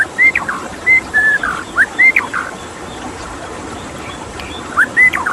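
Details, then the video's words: White-rumped shama singing beside flowing water: a quick run of clear whistles and slurred notes, a pause of about two seconds, then another short whistled phrase. "Suara KICAU MURAI BATU dengan Suara Air"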